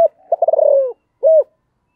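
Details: Close spotted dove urging call: a fast rattling run of joined coos sliding slightly downward, then after a brief silence one smooth, rounded coo. Nothing else is audible.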